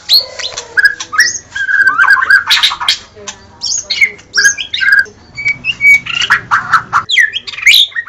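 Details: Continuous varied song of a caged White-rumped shama: harsh rasping notes, quick chatters and bright whistled phrases woven together, a few pure level whistles near the end, faint hum behind.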